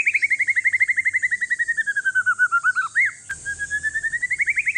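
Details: One-year-old male forest-strain white-rumped shama from Aceh, kept to prompt lazy shamas to sing, delivers a fast even trill of about eight notes per second that dips in pitch then rises again, broken by a click.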